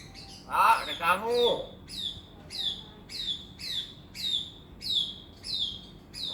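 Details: Common hill myna, a talking bird known for saying assalamualaikum and coughing like a human, utters a hoarse voice-like phrase, then a string of about eight sharp descending whistles repeated steadily every half second.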